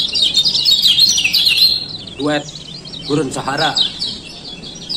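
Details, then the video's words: Male lemon-bellied white-eye lure calls, ciak ciak style: a loud high twittering run, then lower harmonic nasal sounds overlapping later faint chirps. "Pancingan Kecial Kuning Malas Buka Paruh"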